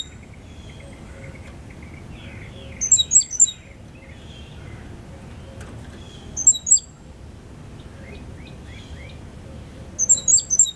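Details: Young Cuban grassquit, bred in captivity and five months old, delivering its loud, clear 'silva australiano' song with a trill copied from a 'silva cristina' tutor. Brief high, piercing note clusters repeat roughly every three and a half seconds over soft lower chirping.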